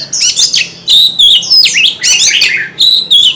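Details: White-rumped shama singing with fanned tail: repeated clear whistles broken by fast chattering and sweeping slurred phrases, in short energetic bursts.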